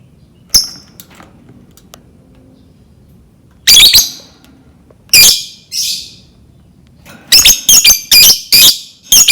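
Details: Lovebird calling in 'ngetik' style as bait to prompt another lovebird to sing: scattered high, harsh chirps and squawks with gaps, ending in a quick cluster of sharp ticking notes.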